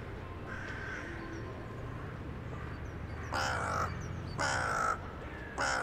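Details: In a town centre on a January 2021 evening, a crow answers others flying in to roost: faint distant calls first, then three loud, harsh caws about a second apart, with low traffic-like rumble throughout.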